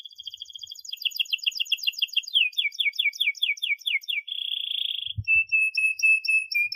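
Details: Canary song as a model for young canaries learning to sing: a fast trill, falling whistled slurs about twice per second, a dense buzzy burst, a low thump, then spaced clear notes.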